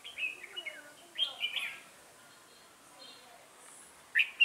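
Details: Red-whiskered bulbul singing as a trapping decoy on 1 October 2018: a few quick whistled, descending notes at the start, a pause with low hiss, then a loud sharp burst at the end.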